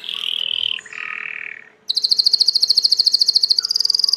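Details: A domestic Belgian canary sings two steady buzzy rolling tours at different pitches, then breaks into a long, very fast, high trill that keeps a level pitch and repeats several times per second to the end.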